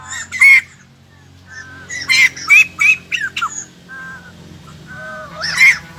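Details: White-crested laughingthrush, a freshly caught wild bird now caged as an ornamental songbird, uttering loud harsh squawks in short separated bursts with quiet gaps between.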